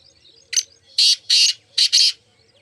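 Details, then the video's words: Black francolin phrase, a short sharp note then four loud coarse grating notes arranged as two pairs, each note about a fifth of a second, over a quiet background with faint hum. "muskie teetar ki awaaz"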